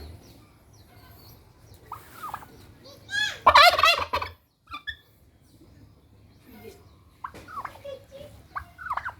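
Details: Single domestic turkey kept on its own, very aggressive and wanting a mate: a loud rolling gobble near the middle, preceded and followed by short squeaky yelps and clucks amid quiet surroundings.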